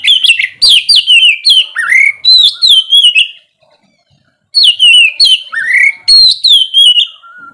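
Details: Loud ngeplong song of an oriental magpie-robin in the morning, meant to prompt lazy birds to sing: two dense phrases of falling whistles and upward swoops, split by about a second of silence.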